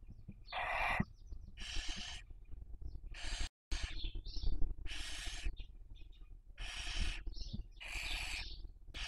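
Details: Barn owls raising young, Cabañeros National Park, Castilla-La Mancha, Spain, 2023 breeding season webcam: a steady run of harsh, wheezing screech-hisses roughly every second, interspersed with small chirps, with a brief dropout in the recording.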